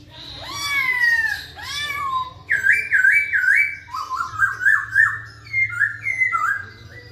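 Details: Song of a masked laughingthrush meant to set reluctant birds singing: loud looping whistles that bend down and up, then wavering trilled whistles in short bursts, each phrase shifting pitch, with a steady low hum in the background.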